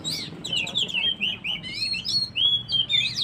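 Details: Oriental magpie-robin song for rousing stressed birds: a fast stream of short whistled slurs and chirps, repeated in quick succession with brief gaps.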